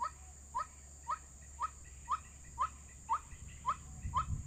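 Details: White-breasted waterhen call played as a trapping lure: nine quick, upswept notes, about two each second. A low rumble grows near the end.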